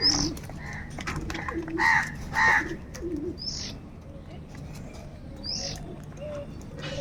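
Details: Crows calling loudly and continuously, described as angry and fighting for food; short harsh caws in bursts, with doves cooing softly underneath and other small birds chirping.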